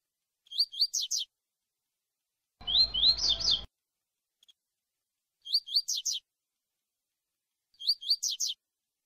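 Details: Double-collared seedeater in tui tui song style, used to train young brown birds for contests: short phrases of four quick, rising, whistled notes repeated about every two to three seconds, one phrase blurred by low background noise.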